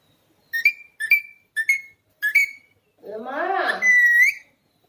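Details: Talking Alexandrine parakeet gives four clipped whistled notes about half a second apart, then a longer, throaty voice-like mimicked phrase that ends in a steady, rising whistle, in a quiet indoor setting.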